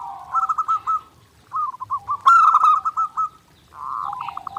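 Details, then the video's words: Nonstop song of a zebra dove (perkutut), clearly recorded as a master for daily training: rhythmic bursts of rapid cooing notes broken by short pauses, the middle phrase loudest. "SUARA PERKUTUT GACOR NONSTOP | MASTERAN PERKUTUT JERNIH UNTUK LATIHAN HARIAN"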